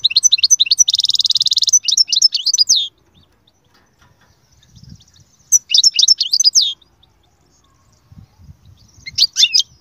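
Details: Goldfinch pouring out high twittering phrases with a long, even buzzy trill near the start, then quieter gaps with faint low noise before further bursts of quick notes.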